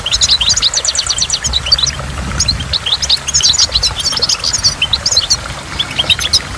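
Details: Goldfinch singing by a waterfall: rapid twittering runs of high, bright chirps and short trills, densely overlapping, over a steady low rush of falling water and dripping drops.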